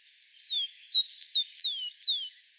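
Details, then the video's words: One complete song of a wild rufous-collared sparrow: five pure whistles, a short low note, two wavering rising-falling notes, then two loud, sharply descending slurs, in near silence. "Som do canto do pássaro Tico Tico (na Natureza)"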